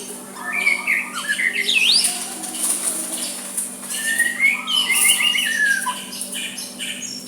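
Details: White-rumped shama soft song to provoke a rival to answer back, with rising whistled slurs, quick chirps and a drawn-out descending phrase, over a low background hum.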